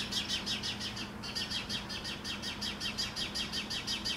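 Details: California Scrub Jay visiting a yard where it is fed peanuts, giving a steady run of harsh, scratchy notes, about three each second, over a faint low hum.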